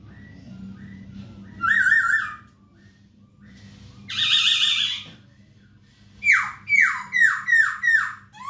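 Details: Captive masked laughingthrush song for tutoring other cage birds: loud bursts of harsh harmonic notes separated by pauses, then a run of five rapid falling slurred whistles; constant low electrical hum throughout.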